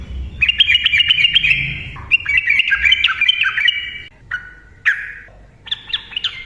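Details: Yellow-vented bulbul singing in fast 'ropel' style, used as a lure to set silent birds singing: two long bubbling chattering phrases, then scattered single chirps and a brief closing flourish.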